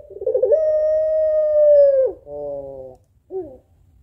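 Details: African collared dove female of the puter pelung type calling the male: a fluttering rolled start runs into a long level coo that slides down, then a nasal buzzy note and a brief bent note.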